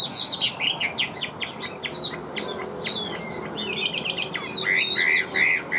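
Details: Caged Chinese hwamei in 'điện đóm' song with a full, steady voice. It gives bright whistled slurs and quick rising and falling notes, with a clear repeated phrase near the end.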